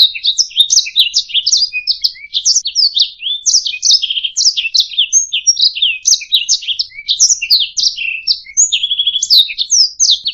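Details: Canary tutor song for teaching caged songbirds: a fast, energetic warble of high chirps and rasping trills, dense throughout, with a stuttering pulsed trill and occasional pure whistles woven in, background silent.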